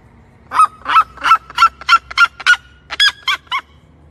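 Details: Red-legged seriema giving a rapid series of about ten loud, ringing yelps, steady at first, then higher and more strained toward the end.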